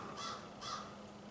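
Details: A crow in a snowy rural setting in Nova Scotia, Canada, on 19 March 2024 gives two harsh, raspy caws about half a second apart, over a faint steady background hum.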